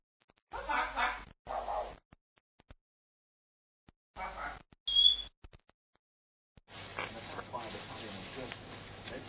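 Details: Pet parrots kept at home, several birds: harsh, raspy squawks in short bursts of about half a second separated by quiet gaps, one brief high pure whistle, then a longer stretch of rough, noisy chatter with rustling.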